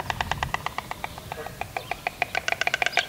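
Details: White stork in courtship display, giving a loud, dry series of wooden knocks about five per second that speeds up and packs tighter toward the end, with faint background noise.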